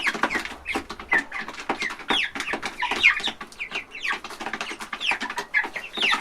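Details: Young chickens feeding at a trough in a big chicken house on a farm, a crowded flock giving constant overlapping clucks and brief rising peeps with no pauses.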